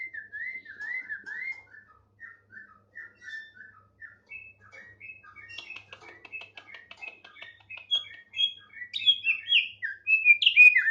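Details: Tame thick-billed heleia singing energetically, starting with gentle repeated wavering whistles, then building into faster, higher, louder twittering phrases toward the end.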